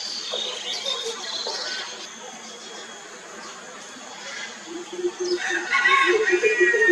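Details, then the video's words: A greater coucal gives a quick series of deep, hollow hoots, about three a second, with higher chirps and insect buzz in the background. "Greater Coucal Calls"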